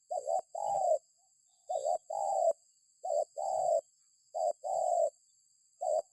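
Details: Spotted dove call used as a lure to prompt other birds to call: a short wavering two-part note, then a longer, steady mid-pitched coo, repeated about every 1.3 seconds. A faint, steady high whine runs throughout.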